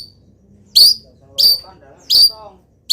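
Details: Local long-tailed shrike, still singing during molt, copying wild birds: piercing high whistled notes spaced about two-thirds of a second apart, with faint lower warbling between them.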